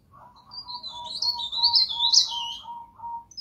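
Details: Pied bush chat (pare-pare) training recording: a high wavering warble rising to a few bright peaks, while a steady lower piping note repeats about three times a second underneath.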